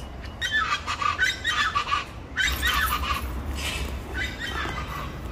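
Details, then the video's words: Loud, raucous chachalaca chorus of scratchy, rhythmic syllables, delivered in three pulsing waves separated by short pauses. "Se me adelantan las chachalacas"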